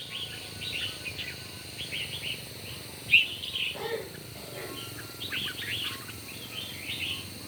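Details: Morning contest song of red-whiskered bulbuls: strings of quick warbled chirps in several bouts, one sharp louder note midway, and a lower rough sound beneath, with constant faint hiss.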